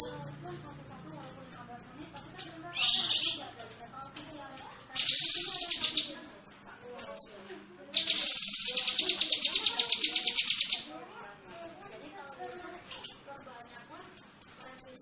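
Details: Cucak kinoi bulbul giving rapid chattering bursts used as training audio for pet songbirds; dense high-pitched ticking runs broken by short pauses, with louder buzzy blocks near the third, fifth and ninth seconds.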